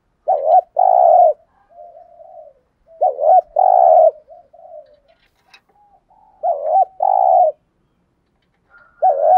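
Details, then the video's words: Spotted dove lure cooing to bring wild doves into answering. Three full phrases come about three seconds apart, and a fourth begins at the close. Each is a quavering note and then a sustained coo, with low murmuring notes between them. "chim cu gáy mồi bài bản thúc gù kích bổi xiêng gáy theo cả ngày"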